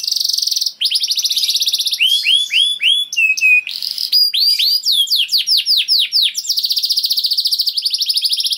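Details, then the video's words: Canary, kenari, in long gacor song meant to trigger other canaries: steady rapid buzzy trill, then a run of falling whistled slurs and short chips, closing with another long dense trill. "Seketika Kenari Kondisi Apapun Akan Langsung Respon Bunyi Gacor Panjang Tanpa Nunggu Lama"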